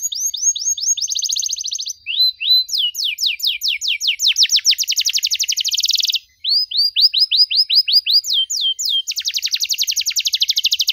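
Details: Canary singing energetically with long bursts and ornate 'cengkok mewah' variations, played for young birds to learn from: dense buzzing high trills alternate with rolling sequences of rising-falling whistles, separated by short pauses.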